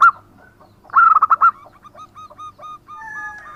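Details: Local zebra dove in active song: a loud coo, a pause, then a fast cluster of strong notes followed by a fading run of evenly spaced hooked coos with a second bird's tones behind.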